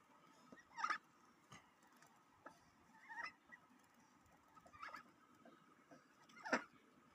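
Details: Domestic duck at home after bathing, giving a few brief soft calls spaced a second or more apart, each a quick nasal chirp over a low steady background hum.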